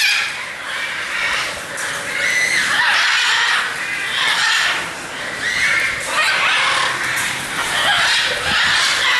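Macaws giving harsh, raspy squawks in loud bursts every few seconds, overlapping one another against a busy background of bird noise.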